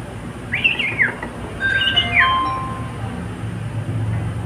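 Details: Male pet cockatiel singing, giving two phrases of high whistles that rise and then slide downward, followed by a long steady lower whistle, over a soft background hum.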